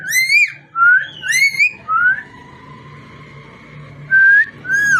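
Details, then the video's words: Pet parrot giving clear whistled notes, some rising and wavering, in separate phrases with a long quiet gap between them; no words are audible. "Amazing parrot so cute talking and voice"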